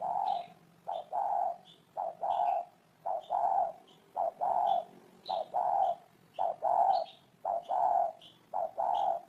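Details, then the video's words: Steady series of spotted dove coos, low warm two-part phrases, a clipped note then a longer rounded one, repeating roughly every second, accompanied by high short chirps of small birds. "Tổng hợp tiếng chim cu gáy hay năm 2018"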